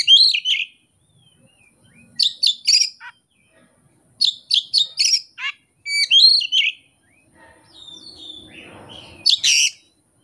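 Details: Kacer, an Oriental magpie-robin, delivering its repertoire without a tutor track or opponent: separated clusters of sharp, high whistled notes and trills with brief pauses between, then a soft rustling noise near the end.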